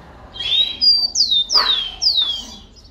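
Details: Rufous-collared sparrow phrase of about five pure whistled notes. A steady whistle leads into loud, sharply descending slurs spaced roughly half a second apart, against a quiet background.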